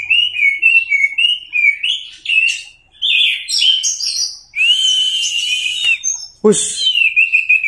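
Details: Anis merah teler song for training other birds: repeated short whistled phrases, a long sustained whistle, then a loud click and more warbling, from an orange-headed thrush.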